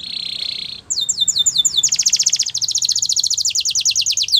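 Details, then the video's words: Belgian canary song used for canary training: a steady buzzy trill, then a run of sharp downward-sweeping notes, then a fast even high rolling trill, all loud and clear. "Belgian Canary Song That Fascinates Everyone !! Canary Training"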